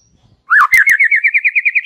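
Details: White-rumped shama in a relaxed singing style. A rising slurred note leads into a fast, even trill of about a dozen bright whistled notes at steady pitch, clean with no other sounds.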